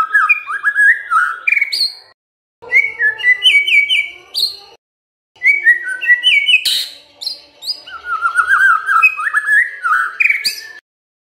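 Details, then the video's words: A White-rumped shama sings to provoke quiet birds into singing. Rich, varied bursts of rapid rising whistles and chattering phrases come in three long bouts separated by short pauses. "MURAI BENGONG LEWATTT❗Pasti NYAUT Dengar Pancingan ini"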